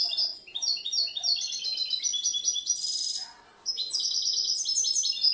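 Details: Young captive European goldfinch from the previous year, a versatile singer that changes, mixes and composes its phrases: a rapid tinkling, twittering stream of high metallic notes with buzzy trills, a brief pause near the middle, then more chatter.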